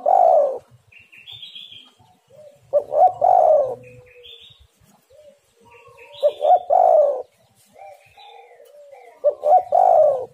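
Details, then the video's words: Repeated spotted dove coo phrases about every three seconds, used as a lure for birds, each a pair of short coos and a longer one. Clear high thin chirps and trills from other small birds fill the pauses. "tekukur super gacor suara untuk pancingan semua burung"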